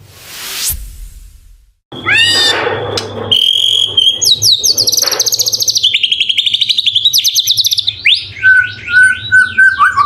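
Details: White-rumped shama (murai batu) training song with full 'isian' fill material and 'tembakan' bursts: a sweeping whoosh, then rapid rattling trills, fast repeated buzzy notes and a level whistled ending.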